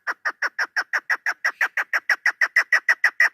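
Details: Loud, regular chuk calls from a female chukar partridge used in hunting, recorded 3 May 2025, about three harsh notes per second in an unbroken even rhythm.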